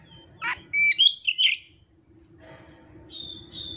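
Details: Oriental magpie-robin singing through its repertoire of song phrases with no tutor recording and no rival bird present: a short descending buzzy note, then a loud burst of rich whistled, warbling phrases, followed by faint high whistles after a pause.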